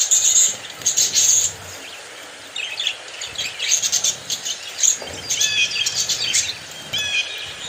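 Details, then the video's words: Happy, very active budgerigars calling together: dense bursts of high chirps and warbles, with sharp whistled notes, in clusters that stop and start over several seconds. "happy budgies 🌈 are very active"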